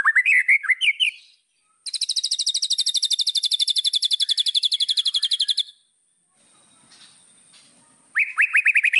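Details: Provocative tutor song of the white-rumped shama, aimed at rival birds: rising whistled phrases, then a long rapid high trill of almost four seconds, a faint soft rattle, and the whistled phrases returning.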